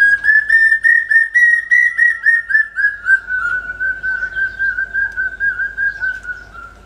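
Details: Rapid, excited stream of ringing whistled notes from a common hawk-cuckoo, or brain fever bird, first climbing slightly, then sliding lower and continuing at an even pace over a faint low hum.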